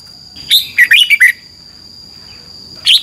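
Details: Red-whiskered bulbul, a cage bird in Thailand, singing 'double' style training song: a single rapid phrase of five liquid, tumbling whistled notes, then silence and the start of another note, with a faint steady high hum.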